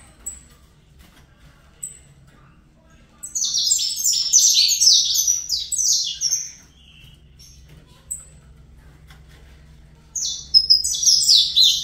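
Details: Saffron Finch youngster, captive-bred, delivering fibra song: isolated high chips, then a loud three-second cascade of rapid sharp notes, scattered chips, and a final dense burst.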